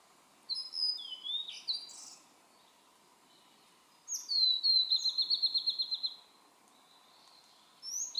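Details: A Blue-and-white flycatcher sings in a dim valley on Mount Maya, Japan, 23 June 2017: varied whistled and harsh notes, then a silent gap, then a sliding whistle and an even rattling trill of about ten notes.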